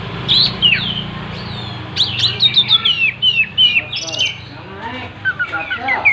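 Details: Oriental magpie-robin singing energetically with its tail spread: a rapid stream of sharp chirps, downslurred whistles and trills, several notes each second, with a low background hum.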